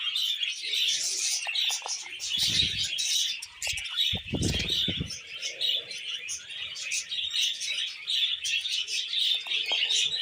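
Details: Two budgies perched on a hand and singing together, a steady scratchy chatter of buzzy twitters and chirps, with low thumps or handling noise in places.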